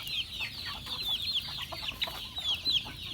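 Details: Feeding chickens on a farm, many birds uttering quick, high, slightly downslurred cheeps in an unbroken jumble, some notes louder and closer than others.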